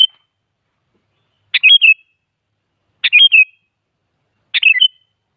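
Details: Sooty-headed bulbul singing, a lure meant to make other bulbuls reply: short chirpy whistled phrases of three or four quick notes, repeated about every one and a half seconds against clean silence.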